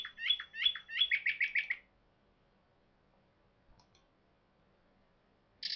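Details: Northern mockingbird at Savannah National Wildlife Refuge, singing to establish territory and attract mates. A whistled, chattering phrase is repeated three times, followed by a quick run of short high notes, then near silence and a final brief burst.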